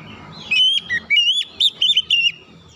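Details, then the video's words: Oriental magpie-robin giving a fast series of about six loud, slurred whistled notes, wavering up and down, over low background noise. "jeritan Kacer memanggil"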